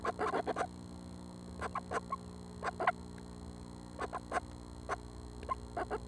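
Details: Northern Flicker young, seven in the nest and near fledging, June 12 at dawn: short grating bursts in small bunches separated by brief quiet spells, backed by a continuous low mechanical hum.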